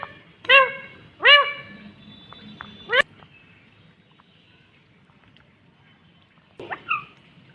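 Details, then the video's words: Ringneck green parrot talking in short bursts: three falling, nasal, speech-like syllables in quick succession, a long quiet gap, then a final squeaky two-part utterance. "Natural Sound of talking Ringneck green parrot"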